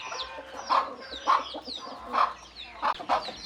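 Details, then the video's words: About five soft, low clucks from a hen calling chicks to feed, roughly one every half second, with thin descending peeps of chicks above them. "เสียงแม่ไก่ดังกุกๆเรียกลุกมากินเหยือ/Tiếng gà mái"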